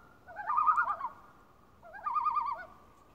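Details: Common Loon at Lake Beauvert near Jasper, Canada, gives two quavering, laugh-like phrases, each under a second long, rapidly wavering at mid pitch, with a quiet background.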